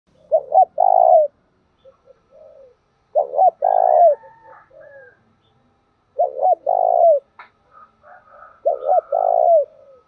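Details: A spotted dove used as a decoy to lure and provoke other doves coos in low, soft phrases of two or three notes, repeated every few seconds.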